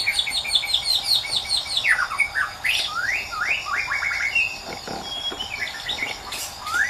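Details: White-rumped shama singing in the wild, a lively stream of clear whistled notes, repeated slurred upswings and downswings with a quick trill early on, over a constant high insect hum.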